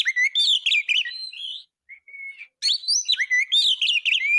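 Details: Oriental magpie-robin used as a song tutor for caged birds, giving quick warbled whistles, a soft steady note after a pause, then another lively burst of slurred phrases.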